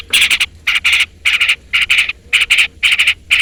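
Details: Long-tailed shrike calling out a rival, played as a lure so other shrikes respond: loud grating bursts of two or three rasping notes, repeated roughly every half second in a scolding rhythm.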